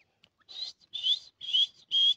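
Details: Grey francolin (teetar) calling: four loud, harsh whistled notes high in pitch, each about a quarter second long, repeated roughly every half second, the later ones steadier and more tonal, with near silence between them.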